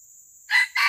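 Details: Junglefowl heard during a traditional live-luring session for capturing wild junglefowl: a loud, harsh two-part crow with the first burst and a second burst cut short, following a steady high insect trill.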